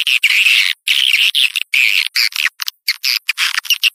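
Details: Swiftlet outdoor lure call used to attract swiftlets: buzzy, harsh chirps in long bursts, then choppier, shorter notes, sharply cut with abrupt silences between them.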